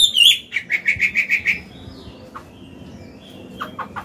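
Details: Old, forest-caught Chinese hwamei, kept caged, singing in its wild 'forest voice' style, used to train young birds and stir males to sing: a quick run of seven clear repeated whistled notes, then a pause with a few scattered lower notes.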